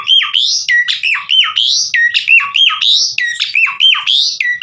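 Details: Javan pied starling in full song, a fast chain of loud harsh phrases, each a squawky note falling to a low whistle, repeated almost a second apart with steady, rhythmic insistence.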